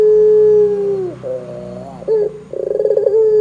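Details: Barbary dove in strong voice, calling to make other doves respond: a steady humming coo that drops away, a wavering middle phrase, then a fast rolling trill rising back into a level note.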